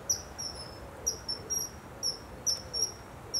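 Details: Kingfisher pair in springtime during mating, giving sharp, very high piercing whistles, some paired, others slightly drawn out and falling, repeated irregularly about every half second against a quiet, faintly rumbling background.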